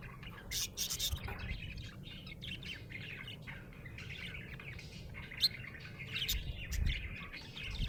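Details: Budgerigar in a happy mood, giving steady soft chatter of quick squeaky chirps and clicks over a low background hum, with a few brighter notes standing out.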